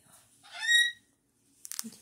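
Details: Pet cockatoo, said to be telling someone to "go away": one nasal, honking, half-second utterance, rich in harmonics, rising then falling, followed by a few brief scratchy clicks and rustles.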